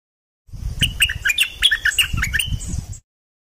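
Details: Song of the dok taeng bird, played to teach young birds and rouse them: quick, irregular sharp chirps and short whistled slurs, about three per second, with soft low thumping behind.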